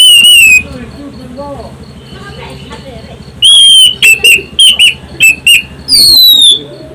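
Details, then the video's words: Orange-headed thrush song used as a lure to prompt other birds to sing, loud and shrill: a high whistled opening, a quiet gap with low hum, then a burst of short piercing whistled notes and a falling whistle. "Pancingan anis Cendana"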